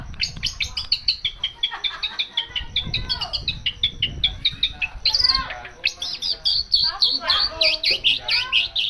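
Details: Cendet, the long-tailed shrike, delivering a dense, varied 'isian mewah' song of the kind used to stimulate other birds: a nonstop stream of rapid chirps, trills and sweeping notes, growing louder and harsher after the middle.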